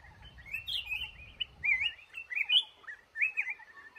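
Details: Red-whiskered bulbul, male, trapped in a cashew garden: a steady stream of chirpy, slurred whistles rising and falling, with a low rumble at first that fades.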